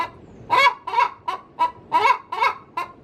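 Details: Brief stretch of a hen cackling in her coop before laying: seven harsh, nasal clucks, the louder ones paired, spaced about a quarter to half second apart.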